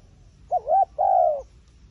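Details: Wild pigeon, described as very smart and wary of a phone camera, giving two low cooing notes: a short wavering one, then a longer drawn-out coo that falls slightly at the end, against a quiet background.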